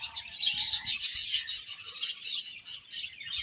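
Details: Continuous high-pitched budgie chatter: rapid, scratchy chirps and warbled trills running without pause, with faint soft bumps at the start.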